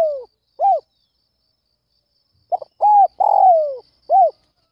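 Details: Spotted dove calling at first light to lure wild doves; a closing coo, a lone hoot, then a full phrase of stuttered notes, rounded coo, long trilled falling coo and short final note, recorded cleanly.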